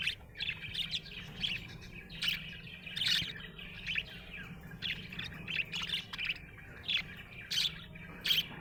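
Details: Cheerful budgie chirping: sharp squeaky notes and short rasping chatter repeated about once a second, uneven in rhythm, over a quieter continuous warble and low background hum.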